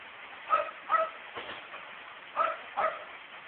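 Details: A pet female myna that mimics household speech gives two pairs of short, harsh, yelping notes, each pair about half a second apart, much like a small dog's bark, over faint room hiss.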